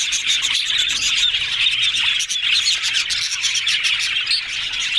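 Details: Happily twittering yellow budgerigars fill the air with a loud, thick stream of high chirps, squeaks and rasping warble notes without break.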